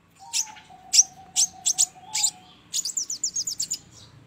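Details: Crimson sunbird (sogon) lure call for trapping: five separate sharp, very high chirps, then a fast descending series of about eight thin notes, over a faint steady low tone during the first half.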